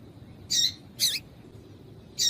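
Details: High, clipped chirps of a female seedeater (papa-capim), given to get males singing; three bursts, the first two half a second apart, the third after a longer gap, over light hiss.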